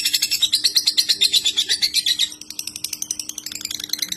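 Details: Murai batu master recording, clear and easy to copy, full tembakan style: loud rapid high chattering with ringing whistled notes for two seconds, then a quieter, drier fast rattle, faint steady hum below.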